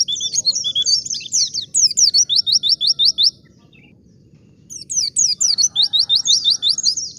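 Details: Wild white-eye song for luring other white-eyes to reply: a fast, high chattering phrase of rapid downslurred notes lasting about three seconds, a silent gap, then a similar rapid phrase.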